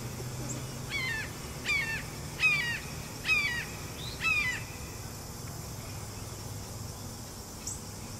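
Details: Red-shouldered hawk, one of two perched in a tall tree, calling repeatedly: five loud descending two-note screams, about one every 0.8 seconds, over steady low background hum.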